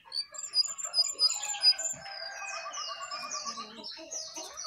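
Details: Jongkangan singing energetically on top of its cage: rapid varied chirps and whistled notes, high sharp phrases giving way to rolling warbled trills and repeated slurred notes, with a faint low thump in the background.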